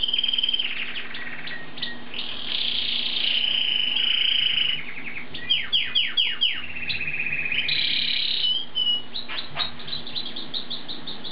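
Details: Asian pied starling singing vigorously: a varied, chattering string of clear whistles, buzzy trills and rapid falling notes, in bursts with short gaps, over a faint low hum.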